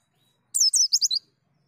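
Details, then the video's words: A brief white-eye phrase from a training recording: five or six quick high twittering notes slurring downward, lasting under a second, in silence. "Terapi Pleci Ngalas Nembak Ngriwik Gacor"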